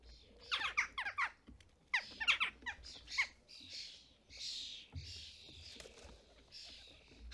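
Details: UK starlings at a custom-built feeder in fledgling season, parents collecting food and feeding fledglings; bursts of sharp, descending squeaky notes in quick clusters, then longer harsh buzzy rasping calls.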